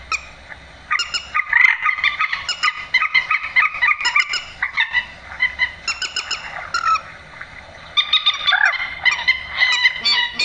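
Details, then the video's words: Night lure recording of a grey-headed swamphen's 'trích ré' screech, used by net hunters; long runs of loud, nasal, honking squawks, rapidly repeated, with short pauses between bouts. "tiếng trích ré"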